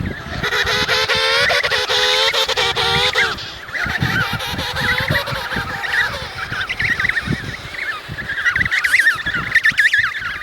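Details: Emperor penguins call over a noisy, crowded colony: an adult's long, wavering, harmonic trumpet of about three seconds, then shorter overlapping braying calls from many birds.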